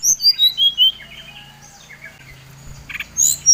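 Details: Brown-chested jungle flycatcher, Bali type, singing to provoke rivals: five quick whistles stepping down in pitch, a pause with faint notes and a low hum, then a high sharp whistle.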